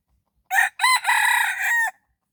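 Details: A red junglefowl crows at dawn while used as a decoy: a clipped first syllable, a short break, then a drawn-out, rasping, buzzy call lasting about a second that ends in a brief falling note. No background noise.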